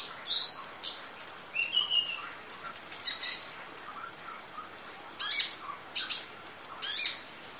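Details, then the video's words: Kolibri ninja sunbird singing full 'isian nembak' masteran material: high whistled slurs and sharp chips delivered in quick separate bursts, some notes sliding downward, others clipped and squeaky. "Audio Master Masteran Kolibri Ninja Full Isian Nembak Durasi Panjang Kicau Burung"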